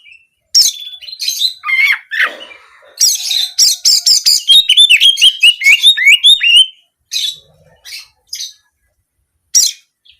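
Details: Kacer, or Oriental magpie-robin, in 'nembak kenari' song, canary-like rapid shooting notes used as therapy to make birds sing at home and in contests. Varied chirps lead into a dense, fast twittering stretch, then scattered single notes.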